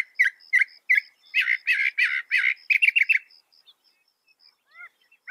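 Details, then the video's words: Northern mockingbird imitating other birds: harsh repeated squawky notes, then raspy buzzy bursts and a rapid chatter, ending in quiet and a couple of soft downward whistles. "Masteran suara burung NORTHERN MOCKINGBIRE bisa merekam 200 suara"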